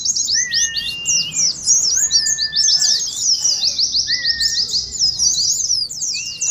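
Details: Continuous high-pitched twittering of Oriental white-eyes, a ngeriwik-style lure for training birds and simulating a contest, broken by several short level whistles that glide slightly downward.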